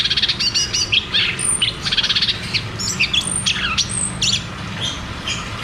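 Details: Caged cucak cungkok in a rapid 'ngeroll tembak' song, used as therapy and a lure for birds that have stopped singing: dense bursts of high chirps and short whistled slurs, busy and overlapping.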